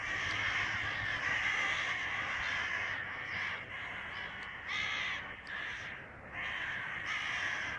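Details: Summer evening flock of crows outside a window making a racket: a dense chorus of harsh caws, then separate loud rasping caw bursts with short gaps between them in the second half.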